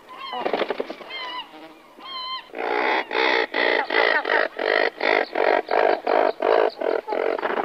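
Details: Several razorbills calling near their nests before take-off, in a North Atlantic nesting colony. Harsh, grating calls repeat in quick, fairly even bursts about twice a second, after an opening of a few higher, bending calls.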